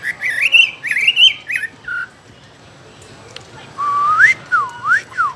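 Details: Chinese hwamei in a cage giving clear rising whistled phrases, a short silence, then sweeping up-and-down slurred whistles.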